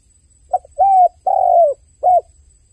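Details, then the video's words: Dove crying with one short phrase: a quick click-like note, a level drawn coo, a longer coo dropping slightly at its end, then a brief final hoot, clean and close with little else audible. "The sound of a dove crying សំឡេងសត្វលលកយំ"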